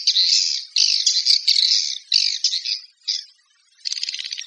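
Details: Swiftlet calls in separate harsh, squawky chirp bursts, about two per second, then a short pause and a softer rattling trill.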